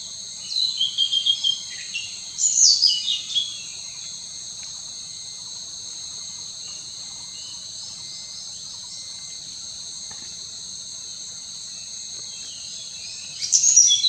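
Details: Hainan blue flycatcher singing at Roing, Arunachal Pradesh, India: short, high, sweet warbled phrases, two near the start and one at the end, over a steady, loud shrill insect drone.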